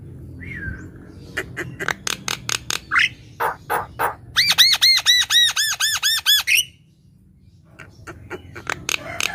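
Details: Javan myna gacor song for luring birds and coaxing silent ones to sing: a slurred call, a series of harsh grating bursts, then a fast run of ringing arched nasal notes, fading into scattered softer rasps.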